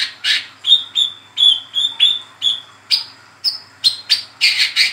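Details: Brown-throated sunbird in the chattering 'ngeriwik' style, used as a lure and master sound for training sunbirds. About fourteen sharp, high chirps come in quick succession, roughly three per second. They shift higher and harsher toward the end over a quiet background.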